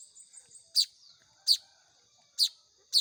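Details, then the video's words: Young Baya weavers begging while hand-fed, four loud, sharp high-pitched chirps spaced unevenly, with faint soft lower chatter between them. "SUARA ANAKAN BURUNG MAYAR"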